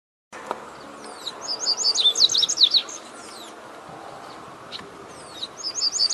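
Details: Double-collared seedeater singing in the wild among five free birds: rapid bursts of sharp, twittering high notes for about two seconds, a pause, then another phrase starting. Faint background hum throughout.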